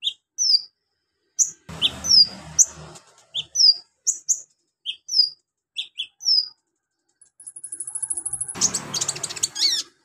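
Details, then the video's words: Javan magpie-robin in lively full song, with imitations of golden grasshopper, lovebird and cricket in its repertoire. Sharp whistled notes, many falling, come in quick separate phrases. A broadband rustle follows, then a high steady buzz and a burst of noise near the end. "KONIN GACOR NGOBRA ISIAN BELALANG EMAS LOVEBIRD CILILIN BUAT MASTERAN"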